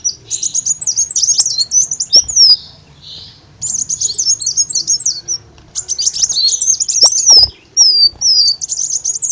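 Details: Lure recording of an olive-backed sunbird: three high, fast twittering phrases of slurred and looping notes, each ending in a few downward-sweeping whistles, with short quiet gaps between them.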